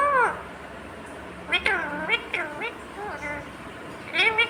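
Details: Pet ringneck parrot talking: short, high-pitched, voice-like phrases that bend up and down, given in a few separate bursts with quiet gaps between them over a faint steady background hum.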